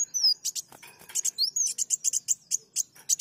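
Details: Sunbird song used to lure birds: a fast, sustained run of sharp, high chirps, roughly four or five per second, mixed with thin slurred whistles and clicks.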